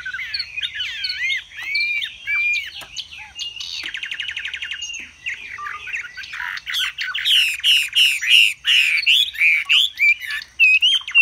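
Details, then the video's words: Chinese hwamei kept caged in Vietnam, spreading its plumage and singing high: rich looping warbles give way to a buzzy rattle, then loud strident repeated whistled notes and chatter. "Họa mi xòe vip, xòe bền, hót cao cầu"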